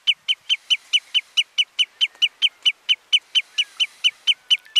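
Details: A common redshank (Tringa totanus robusta) on Flatey, Iceland, in June 2019 gives a long, steady run of sharp, high piping notes, about four or five each second, with nothing else heard.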